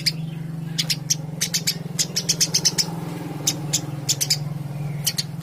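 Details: Eurasian tree sparrow uttering scattered high, sharp chirps, singly and in short clusters, over a constant low mechanical hum.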